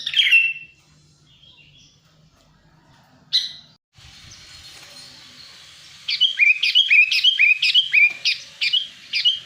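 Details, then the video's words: Sooty-headed bulbul lure call for attracting wild birds: an isolated harsh chirp, then a second, followed after a break by a quick series of bright, up-and-down chattering notes over a background hiss. "suara pikat burung kutilang"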